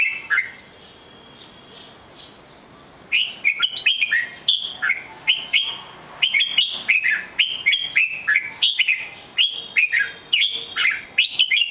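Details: Red-whiskered bulbul in lively song, a short opening phrase then a continuous run of loud, clear whistled notes, each swooping up and down, delivered rapidly for about nine seconds.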